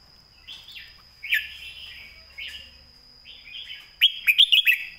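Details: Red-whiskered bulbul singing a clear, beautiful master song for tutoring. Separate slurred whistled phrases are spaced out, ending in a loud quick string of five crisp notes. A faint constant high whine is audible.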